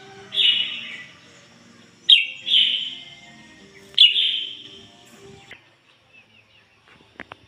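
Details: Decoy red-whiskered bulbul singing ngoi bổi style: three ringing phrases, each a strong high onset tailing into a downward slur, spaced about two seconds apart, then quiet with a few faint clicks.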